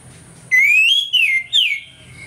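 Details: Orange-headed thrush singing openly in the morning, a lure to provoke aggression: a loud, pure whistle rising then gently falling, answered by two shorter downward-sliding notes, with faint low hum behind.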